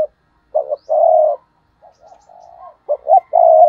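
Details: Stuttering 'gù cà lăm' coo of a decoy spotted dove used to provoke wild doves: a loud clipped-then-held phrase, a softer murmured stretch, then another loud phrase with a long steady final coo.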